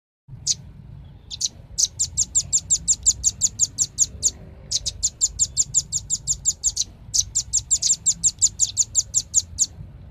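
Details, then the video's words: Velvet-fronted nuthatch giving fast runs of sharp, high chipping notes, about five per second, in three bursts separated by brief pauses; faint low hum underneath. "SUARA BURUNG RAMBATAN PARUH MERAH"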